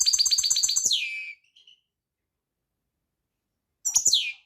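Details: European goldfinch song: a fast series of high, trilling notes ending in a downslurred, nasal twitter, then silence before a brief, similar phrase returns.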